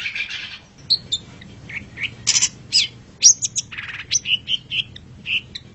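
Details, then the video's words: Long-tailed shrike song used as a tutor recording for teaching cage birds. It is a varied run of sharp whistled and chattering notes, some buzzy bursts and high clear slurs, in quick irregular succession, with no other sounds. "Masteran Suara Pentet Cendet"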